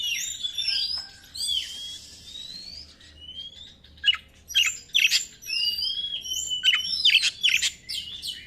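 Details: White-rumped shama song meant to attract other birds: slurred upward whistles and swooping notes, then louder clusters of sharp chips and buzzes in the second half.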